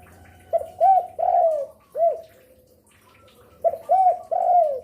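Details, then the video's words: Active spotted dove that calls afternoon, evening and night, used as a lure bird: two deep cooing phrases, each a clipped note, an arched coo, a long falling coo, then a separate curved note. "Derkuku gacor rajin bunyi siang sore malam cocok untuk pancingan"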